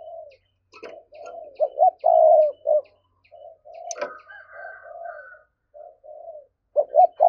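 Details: Thúc-style cooing of spotted doves, meant as a lure for wild doves: many low coos come close together, loud and soft notes overlapping, with a brief click and a higher drawn-out tone midway.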